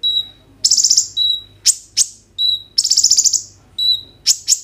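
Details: Kolibri ninja sunbird 'roll tembak' song as a lure for other sunbirds: a long pure whistle, then dense rapid trills and sharp upward-swept notes, the pattern repeating twice, phone-recorded.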